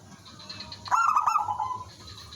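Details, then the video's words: Single phrase from a local zebra dove singing as a lure for other doves: a quick run of stuttered cooing notes flowing into a soft, gently descending trill, over light background hiss. "suara merbok kampung/perkutut lokal gacor manggung jadi pikat pancingan semua jadi nyaut"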